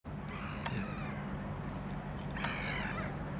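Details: Black-headed gulls recorded on 12 March 2022; two harsh, rasping calls, one early and one near the end, over a steady low hum and background noise.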